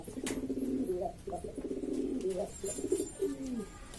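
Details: Lombok domestic pigeons, several fancy types, calling over one another: deep throaty coos with upward-then-downward inflections, packed closely together, with occasional clicks.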